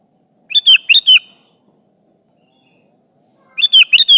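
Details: A lively Sooty-headed bulbul calling its companions: two bursts of bubbly, liquid notes, a quick rolling phrase of four notes, a pause, then a similar chattering phrase near the end. No background sounds.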